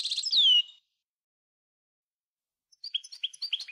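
A European goldfinch opens with a bright twitter and a sweeping downslurred whistle. After a pause of about two seconds comes a quick run of tinkling, liquid notes.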